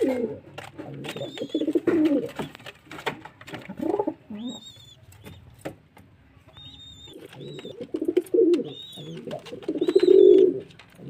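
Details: Deep, gurgling pigeon coos open and close the recording, with a quieter stretch between where only scattered high, thin chirps of other birds are heard.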